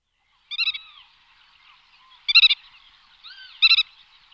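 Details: Black-tailed godwit calling: three bursts of rapid, nasal, harmonic-rich notes about every one and a half seconds, with softer slurred calls faintly in between.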